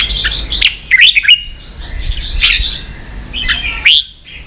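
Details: Red-whiskered bulbul in 'ché' style song used to train young birds; lively bursts of rising whistles and quick rattling notes come in three or four clusters separated by brief gaps.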